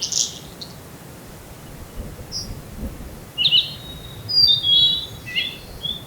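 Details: Blue-and-white flycatcher at a yearly visited field where two birds were contesting territory, captured with an ECM-M1 microphone: a few scattered high notes, then a burst of loud whistled and slurred phrases over soft steady background noise.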